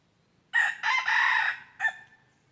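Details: Crowing red junglefowl recorded on 23 January 2022 during decoy trapping of wild birds: one loud, raspy crow with a short first syllable, a longer drawn-out middle and a sharp clipped ending, in a quiet background.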